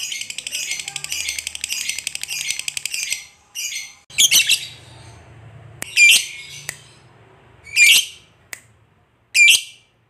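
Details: Lovebird, fighter type, used to provoke a lazy lovebird into singing; quick high chatter for three seconds, then separate harsh squawks about every one and a half seconds, with a low hum beneath.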